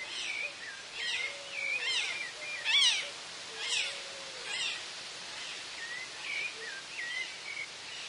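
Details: Rufous-bellied thrush singing in Argentina, with a chimango also heard: short, varied whistled phrases, some rising and some falling, about one per second, over a soft outdoor background hiss.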